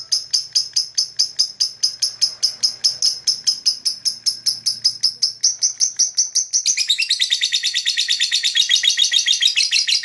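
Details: Lovebird chirping meant to attract other birds; rapid high chirps at first, then quickening into a dense, buzzy chatter in the final seconds.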